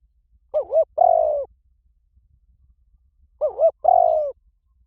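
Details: Spotted dove call used to provoke sluggish decoy birds into calling; two phrases, each a wavering double coo followed by a longer, slightly falling purring note, separated by nearly three seconds of silence.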